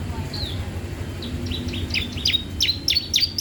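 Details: Bar-winged prinia song used as a master or lure for other birds: a quick run of short, sharp chirps repeated about three to four times a second, loudening toward the end, over steady low rumbling background noise.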